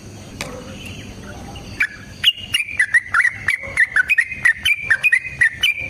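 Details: Sooty-headed bulbul fighting song, intended to make other bulbuls respond: after a quiet start, a steady run of crisp, slightly descending whistled notes, roughly one per second or faster, bright and clear.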